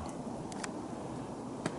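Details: Black woodpecker in Finland, 6 December 2023, knocking: three sharp, dry taps spaced irregularly over two seconds, over steady low background hiss; it keeps knocking afterwards.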